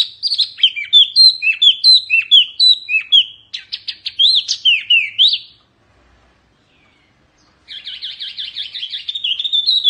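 Oriental white-eye singing high, twittering phrases of quick sweet chirps, a pause of about two seconds, then a rapid buzzy trill. No other sounds.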